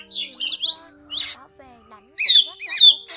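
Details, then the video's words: Drongo calls used to lure birds into trapping nets: bursts of high whistled and slurred notes alternating with short harsh buzzy notes, separated by brief pauses, over a faint steady hum. "Tiếng Bẫy Bắt Tấc các loại chèo bẻo , chèo bẻo rừng , chèo bẻo đen , đuôi cá chèo bẻo"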